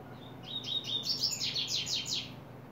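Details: Coleiro starting up its song in July 2024: a bright, high phrase of quick slurred notes, rising into a run of repeated buzzy upslurred chirps about five per second, over a faint low hum.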